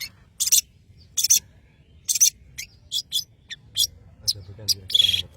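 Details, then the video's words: Actively singing long-tailed shrike from Madura: loud, dry, hissing rasps spaced about a second apart, with shorter clicks between them and a final whistled note under the rasp. "CENDET Pentet MADURA GACOR"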